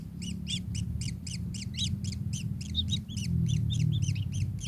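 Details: Fast run of ringing high notes from a kingfisher, evenly spaced at about four per second, each bent upward then down, with steady low-pitched rumble beneath.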